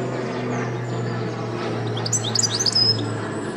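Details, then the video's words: A European goldfinch gives a quick burst of bright, tinkling twitters, high and rapidly varied, for about a second over a steady low mechanical hum. "European goldfinch switty bird"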